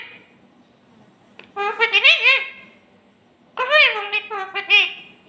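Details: A parrot talking in a clear voice indoors, giving two short word-like phrases with rising and falling tone, separated by a quiet pause.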